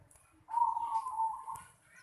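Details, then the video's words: Single drawn-out, low trilling coo from a zebra dove in a house yard, steady in pitch for about a second before fading, with a soft click and faint hiss behind. "Suara burung perkutut di halaman rumah"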